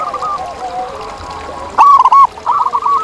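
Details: ['Wild zebra dove singing in nature: faint rolling coos from distant doves, then a loud, clipped burst of three quick bubbling notes, followed by a softer rolling phrase.']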